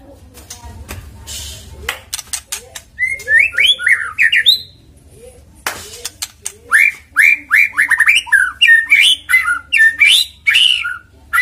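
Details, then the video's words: White-rumped shama lure song meant to make a bird sing fast: scattered clicks and chips open into loud, varied, tumbling warbles and whistles, delivered in quick bursts of notes. "PANCINGAN MURAI BATU AGAR GACOR CEPAT BUNYI"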